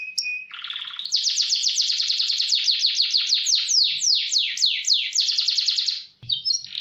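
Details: Canary tutor song in fast roll style: a short whistled opening, then a long rapid trill of falling notes that gradually slows and broadens before a brief pause and a few final chirps.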